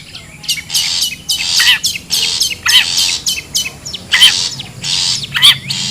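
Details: Wild long-tailed shrike, recorded as a lure sound to draw birds together: harsh, rasping broadband bursts roughly every half second, mixed with sharp descending whistled notes.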